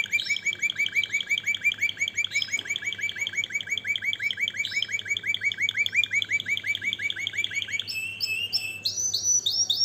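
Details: Canary song meant to stimulate males and excite females for mating: rapid, high, evenly repeated trill notes rolling on for about eight seconds, then switching to a different buzzy, higher phrase, over a faint low hum.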